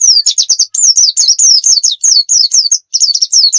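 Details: Loud oriental white-eye song intended for tutoring other birds: dense, fast high twittering built of repeated downslurred phrases, nearly continuous with only brief gaps.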